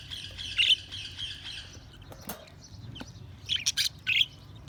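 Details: Budgie chirping opens with a grating warble, falls to quieter twitters, then ends in a few sharp, louder squeaky chirps.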